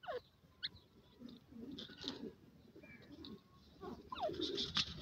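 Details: Grey francolin chicks, known locally as baby dakhni teetar. They give short, thin peeping chirps that sweep sharply up and down, in scattered bursts over faint background rustling.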